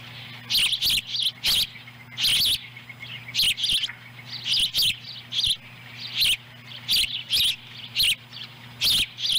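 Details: Ospreys at a nest in Lolo, Montana, on July 18, 2017, as the female delivers a small fish that a chick eats whole. Sharp, high chirps come in short bursts about every half second, over a steady low electrical hum.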